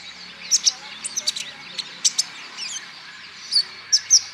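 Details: Olive-backed sunbird, used as a lure recording to prompt other sunbirds to sing: sharp, very high thin chirps and tweets in short bursts, with pauses between. A faint low hum sits in the background.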